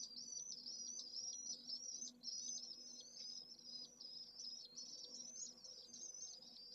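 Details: Single Pallid Swift chick in its nest in central Jerez de la Frontera, urban heat island, at solar noon on 25 August during a heatwave above 44ºC; rapid high, twisting chirps run in an unbroken chain over a low steady hum.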